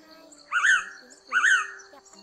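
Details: A Blue-winged Pitta flock-gathering call used as a trapping lure: two clear whistled double-note calls, each a brief rising-then-falling phrase, repeated under a second apart over a faint background hum.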